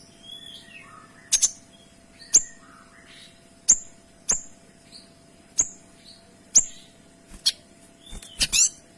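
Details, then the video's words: A Kinoy sings with crisp shot-like notes, sharp high ticks about once a second over soft twittering whistles, ending in a rapid double burst. "Suara Kinoy Gacor Tembakan Rapat dan Jernih"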